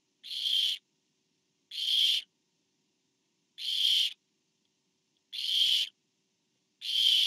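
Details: Five rasping, hiss-like screeches from a Barn owl nest on 24 September 2015, recorded as a parent brings food to the fourth owlet, each burst about half a second, repeating every second and a half.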